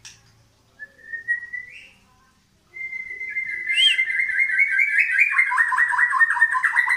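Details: White-rumped shama of the Medan type, singing continuously while pushing its tail: clear whistled notes near one pitch, rising slightly, then a sustained tone breaking into fast, rapidly repeated trilled notes toward the end.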